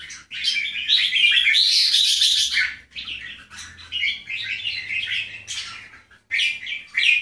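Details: Bulbul, from a comparison of Keke and Golden Voice jambul types, delivering a long, loud chattering warble that fades into softer rapid twittering notes, then a final bright burst.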